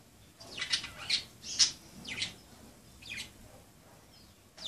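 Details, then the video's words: Pet budgerigars playing indoors give scratchy, buzzy chirps and short squawks, spaced irregularly about twice a second, with quiet gaps between bursts. "Pericos australianos jugando"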